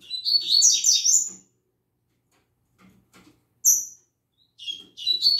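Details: Early-morning singing of a caged double-collared seedeater: a lively, buzzy run of high chattering notes, a pause, a clear sharp high note, then the song resuming in quick bursts.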